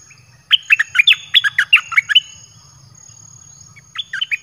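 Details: Red-whiskered bulbul kept in a cage in Thailand, its song played to bring wild birds in quickly: a long rapid run of about twelve warbling whistled notes, a pause, then a shorter phrase begins.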